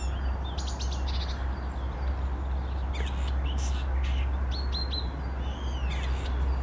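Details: Common starling imitating a grey partridge, recorded 10 April 2021: a burst of clicks and buzzy notes, then short sharp whistles and a descending slurred whistle, over a steady low rumble of wind or traffic.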